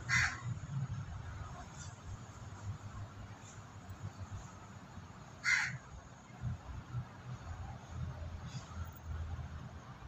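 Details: A crow, heard but unseen, gives harsh, rasping caws while a flock of white pigeons forages and pecks at food: two loud caws about five seconds apart with fainter caws between, over a steady low rumble.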